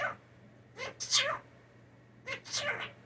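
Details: Captive blue jay raised from a nest fall mimics sneezes indoors: two rough, breathy double bursts about a second and a half apart, each a short rising catch followed by a hissing blast.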